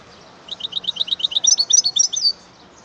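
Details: Song of a European goldfinch, a continuous rapid twitter of bright, liquid notes about two seconds long, the later notes climbing higher and sounding more trilled, with a faint low hum behind.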